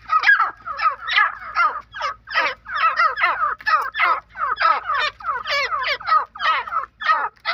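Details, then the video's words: A grey francolin gives a loud, harsh, ringing call, rapid notes repeated about twice a second in an unbroken series, over a low hum. "Jangli Teetar ki Best Voice"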